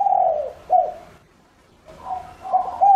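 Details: Spotted dove, a lure bird whose cooing is used to draw other doves. Low, soft, throaty coos in short phrases, with a pause of about a second between two bursts of cooing.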